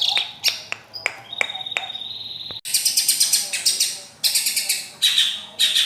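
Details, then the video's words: Long-tailed shrike: a few sharp clicks and a drawn-out thin whistle, then loud, harsh, buzzy high chatters delivered in bursts with brief pauses. "Burung centet/pentet bersuara emas"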